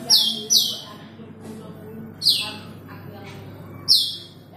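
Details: Rapid pair of shrill descending whistles, then two more spaced out, from an Asian glossy starling calling to a rival; faint hum and soft noises behind.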